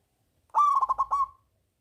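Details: Song of a big-voiced local zebra dove, played to coax silent doves into singing: a short burst of rapid pulsing coos on a steady pitch, trailing off after under a second, with a faint low hum beneath.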